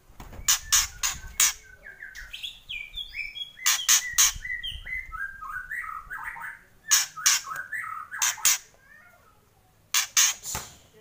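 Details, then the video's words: White-rumped shama in loud kretekan style: bursts of sharp crackling cracks alternate with quick descending whistled phrases, repeated at a brisk, uneven pace. "Kretekan Murai Keras"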